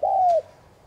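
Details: Spotted dove, a cage bird, giving one smooth low coo lasting under half a second, level then gently falling at the end, used to stir other doves into cooing.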